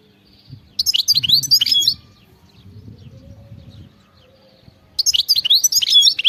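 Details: European goldfinch in wild song, giving two separate bursts of high, tinkling twitters about three seconds apart, with faint low rumbling in between.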